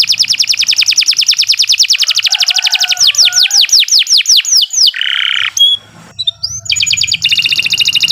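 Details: Canary song meant as a tutor recording for other birds, opening with a fast trill that slows into repeated descending whistled notes, then a brief buzzy burst, a short pause and another quick rattling trill.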